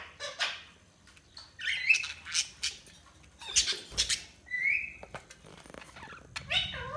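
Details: Several budgies chatter with quick squawky chirps and short whistled rising notes, scattered bursts spread across seven seconds over a quiet indoor background.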